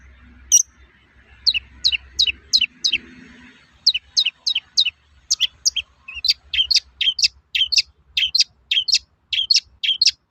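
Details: Toet-toet calls of a long-tailed shrike, played to stir other shrikes to sing. One high note comes first, then runs of shrill notes in pairs and triplets, growing denser over ten seconds. There is light background hum.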